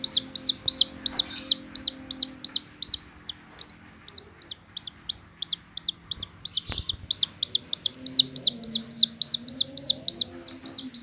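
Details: Chicken chick that will not leave the person caring for it, running to the fingers. Fast series of shrill descending peeps, roughly three a second, briefly pausing then resuming louder; faint hum in the background.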